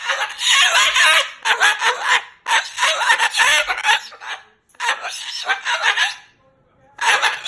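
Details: Pet Moluccan cockatoo shouting choice words at its owner, angry after an overnight stay: repeated raucous, rasping talk phrases of one to two seconds with brief silences between.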